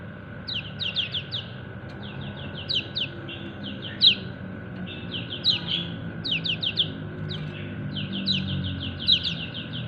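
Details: Kecial kuning, a white-eye, calls to its companions: rapid groups of sharp, high chirps that slide downward, each burst of three to five notes coming every second or so, with a faint background hum throughout.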